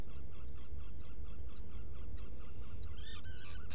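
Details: Black guillemot in a nest burrow on Seal Island NWR, Maine, on 20 June 2018 around 3:45 am. Faint rapid series of short harmonic notes repeated steadily, ending in a couple of louder, sharper notes over a constant low rumble.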